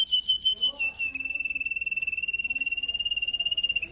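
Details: Yellow canary singing in a cage during song training, Samsung S8 Plus recording: a few quick high chirps lead into a long, even, rapidly pulsing trill held at a steady mid-high pitch for about three seconds.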